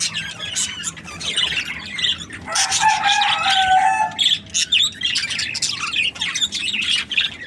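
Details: Happy budgerigar chatter of quick high chirps, with a lower drawn-out harmonic call in the middle, then brief clipped chirps and renewed twittering.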